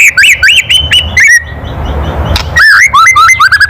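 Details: Loud kretekan of a white-rumped shama, meant to rile other birds into singing: quick runs of clear, stepped whistles, then a stretch of low background noise before the notes return in a rising, choppy sequence.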